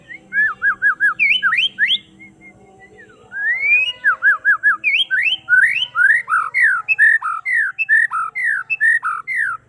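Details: White-rumped shama singing in the afternoon: clear whistled phrases of quick slurred notes, falling and rising, repeated in rapid bursts, a short pause, then a long run of varied loud whistles.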